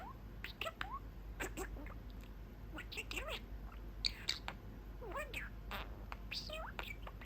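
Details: Pet budgerigar perched at a small window in its cage, chatting with its owners indoors; quick chirps and warbled notes with rising and falling squeaks, some speech-like sounds, over steady low room hum.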